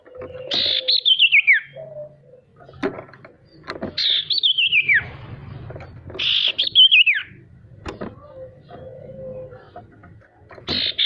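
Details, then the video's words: Male sirtu singing, kept as a lure to get reluctant birds to sing: clear whistled phrases sliding downward from high to lower pitch, each about a second long, repeated roughly every three seconds over a low background hum and faint knocks. "Suara sirtu untuk memancing burung pemalas bunyi agar bisa rajin mau bunyi"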